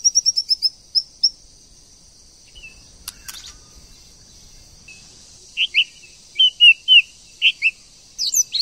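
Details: White-rumped shama, female stimulating a male to sing: a quick burst of high chirps, a long pause with a sharp click, then spaced whistled notes of varied shape, over a constant high-pitched hiss.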